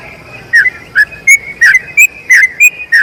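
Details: A brief pause, then a yellow-vented bulbul's long rolling song, intended as a model for other birds. Clear whistled notes with down-slurred tails come about three per second.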